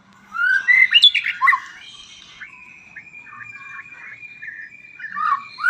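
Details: White-rumped shama song: loud, rich whistled phrases that rise and fall around the middle pitches, then a long thin steady whistle with soft notes beneath it, ending in more bright, ringing phrases.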